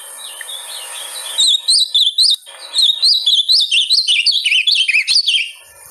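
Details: Ultramarine grosbeak (Cyanoloxia brissonii) sings a rich, fast warbled phrase of sweet whistled notes that rise and fall, about four seconds after a brief hiss; song used to stimulate a kept bird to sing.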